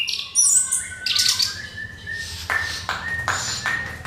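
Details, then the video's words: Orange-headed thrush singing to draw other birds into song. Bright, piercing high trills and whistled slides open the phrase, followed by a steady series of sharp clipped notes about twice per second. "SUARA MENGKRISTAL ANIS KEMBANG PANCINGAN TIADA LAWAN"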